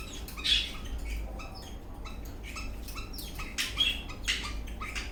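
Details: Eastern rosella parrot, dancing and in a happy mood, gives a thin whistled note, then a run of short chirps and further sharp whistles toward the end; low steady hum underneath.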